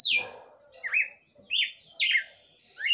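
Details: Red-cowled cardinal owned as a pet, heard singing at night: loud, ringing whistled phrases, some falling and some rising then dropping, in quick succession over a quiet background.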